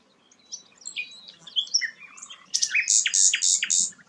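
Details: Sikatan londo flycatcher singing energetically: soft varied twitters, then a loud series of about five sharp buzzy notes repeated evenly.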